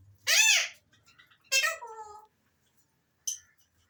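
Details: Alexandrine parakeets giving rough, nasal, arched squawks: one long loud call, a second shorter descending one, and a brief clipped note at the end, in an otherwise quiet setting.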